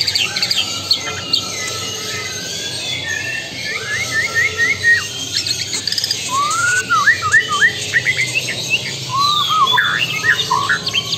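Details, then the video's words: White-rumped shama (murai batu, Lampung type) sings rich, fast whistled phrases with sliding and looping notes over a busy background of other chirping birds. "Murai batu"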